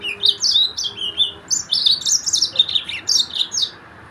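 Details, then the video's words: A Mozambique yellow-fronted canary sings a fast, high, bright warble of chirps and trills, run together with barely a pause, over a faint low hum. "تغريد فرخ السودان موزمبيق"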